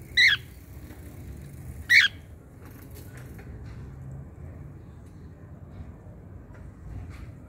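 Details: A cockatiel kept as a pet, wanting to play with the children, gives two loud, grating squawks about one and a half seconds apart, then falls silent apart from faint household background noise.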